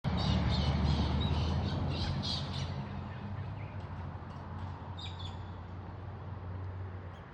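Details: Galah parrots in Australia; harsh, high screeching squawks crowd the first few seconds, then thin out, over a strong low rumbling background.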